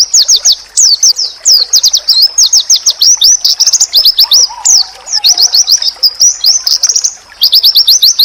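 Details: Oriental white-eye singing a long, fast, high-pitched twitter of rapid chirps and swooping slurred notes with only brief pauses, used to trigger answers from other white-eyes; a soft lower whistle enters midway.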